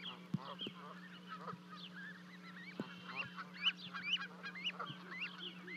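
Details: On a Charlo, Montana livecam, 12 May 2020, two Canada goose goslings jump from a 30-foot nest to reach their parents: a mix of shrill upswept peeps and scattered honks, with sharp knocks and a constant electrical hum.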